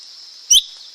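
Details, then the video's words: Two loud, clear whistled notes from a lesser green leafbird, about half a second apart, each sweeping sharply, against a steady high hiss. "เสียงนกเขียวก้านตองเล็ก Lesser Green Leafbird Sound"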